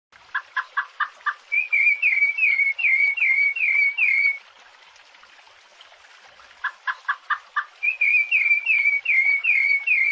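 Rufous-bellied Thrush singing two matching phrases, each opening with five quick low notes, then a run of clear, slurred whistles, separated by a short pause.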